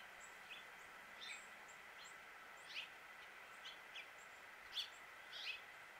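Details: Male House Finch in Suffolk, Virginia, USA giving scattered brief high chirps at irregular intervals, faint against a steady background drone.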